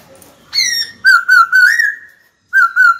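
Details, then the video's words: White-cheeked laughingthrush kept for song training, calling a rival to fight: a bright whistle, then a fast run of loud wavering warbled notes, a brief silence, and two more warbles. "Khiếu hót sắc nét, rõ ràng, kích bổi chuẩn, bổi nhanh mở mỏ đấu thôi!"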